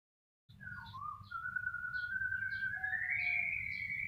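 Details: White-rumped shama singing a long drawn whistle that climbs slowly and steadily higher, with short high chips scattered above it and a low hum beneath.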